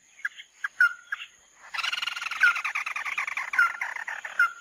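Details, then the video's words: Mắt đỏ bird on a lure recording: a few scattered clicks and a slurred whistle, then a long, raspy chattering trill broken by repeated downslurred whistles. "Tiếng chim Mắt Đỏ mới nhất"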